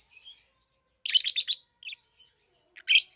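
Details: Pair of captive-bred peach-faced lovebirds, a red-headed green opaline and a red-faced dark green, aged 7-8 months, raised together. Shrill, high chirp bursts in rapid trains near one and three seconds, with fainter twitters between.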